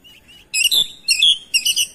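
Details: Oriental magpie-robin reacting to another singing magpie-robin: after two soft notes come three loud, rich phrases of layered whistles with a bright upward flourish, in quick succession.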